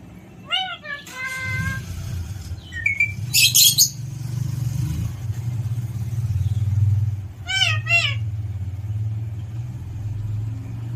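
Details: ['Alexandrine parakeet with quick series of arched, harmonic calls near the start and a pair of similar calls later. A strong low rumble, like traffic or an engine, runs beneath, with a brief clatter.']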